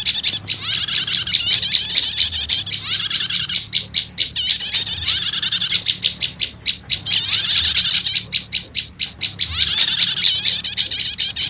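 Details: Combined prenjak lumut and prenjak setater prinia calls, a lure said to bring wild birds in fast: shrill rapid chattering in repeated busy bursts, separated by sharp clicking ticks, around three to four bursts per second.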